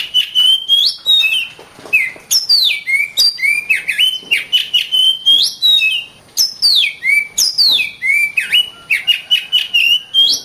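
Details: Oriental magpie-robin song used for training other birds: loud, rich whistled phrases with downslurred and rising notes, sharp clicks and trills in continuous bursts, no other sounds.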